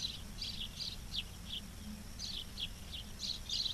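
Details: Osprey nest camera, Charlo, Montana, midday 06/07/2023: sharp high whistled chirps, each brief and slightly descending, spaced irregularly across a few seconds against a low droning background.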